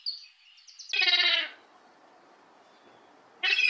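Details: Young herring gulls, able to fly and just out of the nest, investigating a garden; two loud, harsh, harmonically rich wailing notes, each about half a second, separated by a quiet gap.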